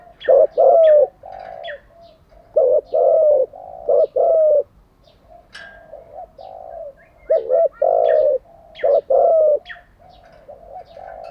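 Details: Repeated cooing of a decoy spotted dove, used for daily training of wild-caught and decoy doves. Several low phrases of stuttered hoots and long coos follow one another, with faint sharp chirps above.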